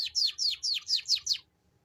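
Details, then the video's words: Canary lure song in ngeriwik style, a quick series of six loud down-slurred whistled notes, each sweeping from high to lower pitch, spaced about a quarter second apart, then silence. "Suara Pancingan Burung Kenari Ngeriwik unik mewah"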